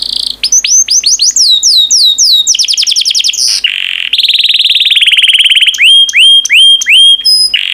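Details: Yellow canary kept as a pet, singing a long varied song: rapid series of downward-sweeping whistles, a sustained buzzy trill, then repeated rising upslurred notes, all loud and clear.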